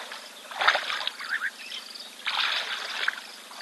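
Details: Red-billed oxpeckers on a giraffe at a waterhole, where a buffalo drinks, give two bursts of harsh, hissing chatter with a few sharper notes, about a second apart, over a low steady outdoor hum; red-billed buffalo weavers and long-tailed starlings also call nearby.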